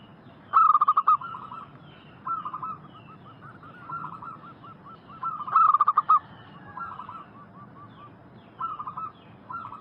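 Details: Lure song of a local zebra dove meant to make wild doves reply: loud clusters of fast, bubbling coos repeat about every five seconds, with quieter cooing phrases, possibly other doves, filling the gaps.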